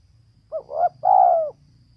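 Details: Female spotted dove cooing: one phrase of a short rising note, a quick double note, then a long, even coo that slides downward, in a quiet setting.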